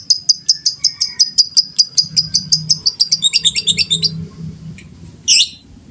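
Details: Lovebird of a fighter type, singing long to provoke other birds; a long rapid trill of sharp high ticks about five per second, speeding into a chattering run, then one harsh squawk.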